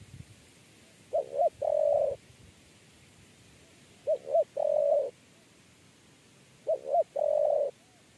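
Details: Spotted dove during a lure trapping session, cooing in the 'kuk 3' style. Three evenly spaced phrases, roughly every three seconds, each with two clipped rising notes leading into a long smooth coo.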